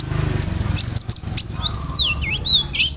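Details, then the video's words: Konin bird in full mimicked song, its repertoire filled with cricket and other bird sounds, used as a tutor for songbirds: clear whistled notes sliding up and down, sharp high chips and a buzzy burst, over a low steady hum. "SUARA KONIN GACOR ISIAN JANGKRIK, BREM, KAMADE, RAMBATAN FULL MEWAH"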